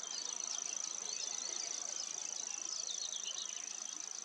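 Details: Common grasshopper warbler reeling: an unbroken, fast, dry ticking trill at a steady high pitch, like a cricket, held evenly throughout with a few soft bird notes underneath.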